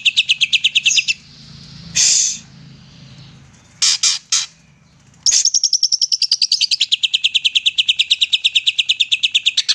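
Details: Singing greater green leafbird used as a lure for reluctant singers; quick high chirp trains open and close the passage, broken by short harsh bursts and a low background hum.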